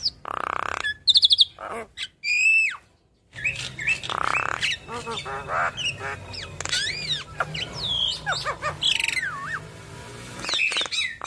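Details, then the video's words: Javan myna (yellow-eyed jalak kebo), singing busily from morning to night and chattering out its imitated fill-in phrases: harsh squawks, buzzy bursts and rising and falling whistles in quick succession, with a brief silence near the middle. "Jalak Kebo Mata Kuning Rajin Bunyi Bongkar Isian Ngoceh Dari Pagi Sampai Malam"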